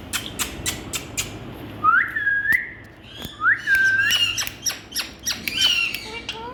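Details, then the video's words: A talking rose-ringed parakeet gives drawn-out, rising and wavering whistled vocalizations mixed with sharp clicks and short squawks, like mimicked speech; no other sounds stand out. "Indian Talking Parrots"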